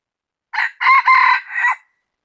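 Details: Loud crowing from a rooster on 16 January 2020, one raucous phrase of four linked syllables, the middle pair long and strained, ending on a shorter falling note, with silence before and after.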